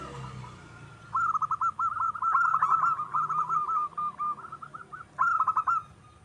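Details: Local wild zebra dove in full song for luring other birds: long stretches of rapid chattering, rolling notes with uneven rhythm, ending with a short burst of clipped notes.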